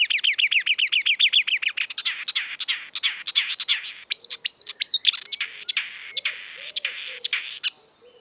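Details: Exuberant marsh warbler, a mimic of European and African birds, pours out a rapid run of rising-and-falling whistled notes, then sharp clicking chips and a few down-slurred whistles, the chips continuing steadily to the end.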